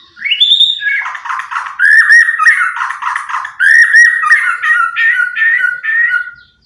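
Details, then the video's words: White-rumped shama kept as a pet, out of its cage and playing on a sofa indoors, singing loud whistled phrases that rise, dip and break into rich, slurred notes with short pauses between bursts. "Murai Nge-play diSofa, Ogah gantang"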